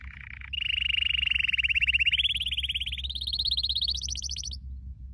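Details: Canary training song meant to keep a pet canary singing: a fast rolled trill of rapid repeated notes that climbs steadily in pitch over about four seconds, then stops, over a low steady hum.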